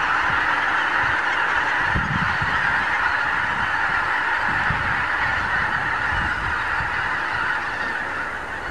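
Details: A huge morning gathering of wild geese on Lower Rhine pastures in Germany creates an unbroken roar of nasal honks, with some low thuds and rustling beneath the flock noise.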